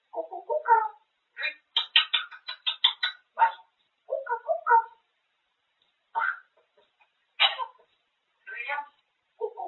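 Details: Grey parrot kept indoors chatters about food without stopping: quick babbled syllables, a rapid burst of high clipped sounds, then scattered single word-like utterances.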